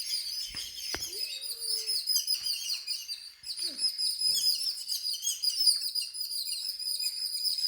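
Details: Birds at home chirp in a constant high chatter, with a couple of clearer lower whistled notes and a sharp tap standing out early on.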